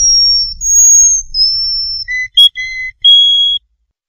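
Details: Song for tutoring young canaries: long, level whistled flute notes at high pitch, then a few shorter, lower whistles separated by brief gaps, over a faint low hum.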